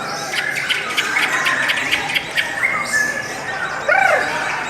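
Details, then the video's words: Lovebird giving a long, melodious song of busy high twittering and squeaks, rapid ticking pulses early on, then thinner chatter and a final burst of rising and falling whistled squeals. "LOVE BIRDS suara yang indah dan Panjang"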